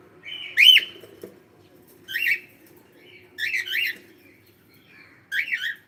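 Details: Pet cockatiel calling indoors: four loud, shrill bursts in six seconds, the first a drawn-out whistled note, the later ones quick doubled or tripled squawky notes, against a quiet room with a faint low hum.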